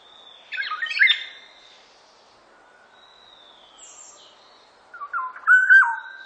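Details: Black-naped oriole giving a rich, fluty whistled phrase, then a pause with faint thin high notes from other birds, then a second louder, rolling whistled phrase.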